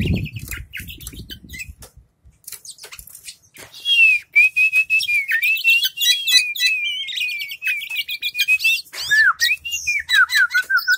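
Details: Caged white-rumped shama in full song, fanning its tail: a fast varied stream of whistles, chirps and rapid trills, rising and falling, after a few seconds of rustling and faint low noise.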